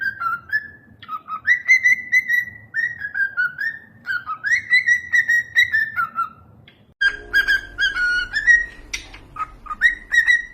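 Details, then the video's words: Whistling cockatiels: melodic tonal notes that rise, hold and slide down, repeated in lively phrases, with a brief gap before a busier stretch of quick whistles and clicks. "These cockatiels are the real rockstars of the bird world!"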